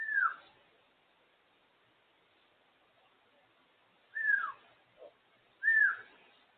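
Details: A pet African grey parrot enjoys time out of its cage. It gives three clear whistles that drop in pitch, one at the start and a pair near the end after a long silence, with a soft short note between the last two.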